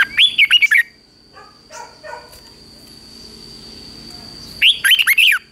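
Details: Red-whiskered bulbul in morning song training, two loud whistled phrases of quick up-and-down notes opening and closing the passage, separated by quieter distant chirps and a constant thin electronic hum.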